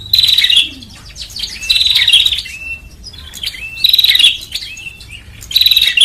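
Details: Lure sound of the prenjak (bar-winged prinia) for gathering birds: four rapid buzzy trilled phrases spaced about every two seconds, each closing with a short whistle, with soft background chirps between them.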